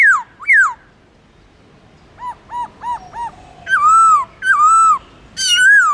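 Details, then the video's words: Forest-style song of a captive black-throated laughingthrush: two quick falling whistles, four soft hooked notes, then three loud, drawn-out whistles that dip and rise with rich overtones. "Khướu Bạc Má Hót Giọng Rừng LUYẾN DÀI HAY"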